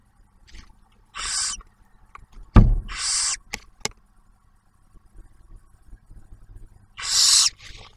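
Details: Barn owls at a nest camera in Ottawa National Wildlife Refuge, Ohio, where the male delivers food and the female shares a meal with the young owlet. Three harsh hisses are interrupted by sharp knocks and a low thump.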